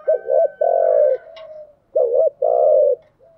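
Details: Spotted dove lure coo for calling wild doves: two phrases, each a pair of short rounded coos followed by one long sustained coo, deep and hollow.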